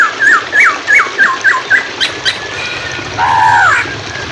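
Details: Hwamei singing in a training recording for songbirds: about six quick, looping whistled notes in a row, then a longer, warbling double-toned phrase. Flowing water murmurs throughout.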